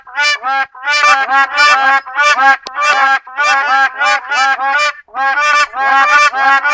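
Black crowned crane giving loud, nasal, honking calls, goose-like and brassy, in quick overlapping bursts about every half second, with no other sounds.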